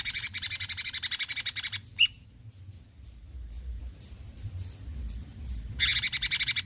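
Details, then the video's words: Cucak cungkok, a bulbul, giving besetan song: a buzzy rapid pulsed rattle, one sharp squeaky note, a string of thin high whistled pips, then the rattle starting again. "Besetan Cucak Cungkok Gacor"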